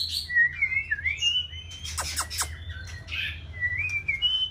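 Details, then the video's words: Young white-rumped shama, six months old, practising singing: a series of fluid, warbling whistles that rise and fall, with a few harsh scratchy notes in the middle and a constant low background hum. "Chòe lửa mái ổ tập hót"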